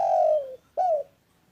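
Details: Spotted dove giving a long, steady coo that slowly falls in pitch, followed by a shorter arched coo, in a quiet setting.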